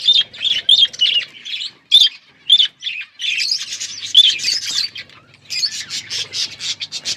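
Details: Budgies warbling in bursts of rapid scratchy chirps and clear whistled notes, with short silent gaps between phrases and a faster run of clicks and chirps near the end.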